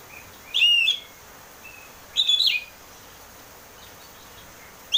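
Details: Oriental magpie-robin song in the 'ngeplong' style, played to coax caged birds into singing: two loud, clear whistled phrases about a second and a half apart, then a third beginning, against quiet background hiss.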